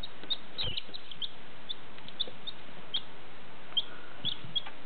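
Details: One-day-old chicken chicks recorded in 2014: many soft, high, short peeps scattered irregularly over a steady hiss, with a few faint clicks.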